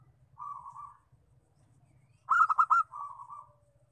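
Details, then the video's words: Zebra dove of the local variety, lure call for attracting wild doves: a soft purring trill, a pause, then four bright staccato notes slurring into a gentler rolling trill, low hum underneath. "Suara pikat perkutut lokal"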